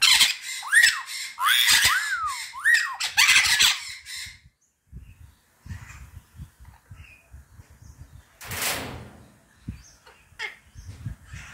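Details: White-fronted amazons, a pair of kept birds mating in the morning, the hen known to whistle and say a few words; loud harsh arched squawks repeat rapidly for about four seconds, then quiet with faint rustling and a brief noise burst.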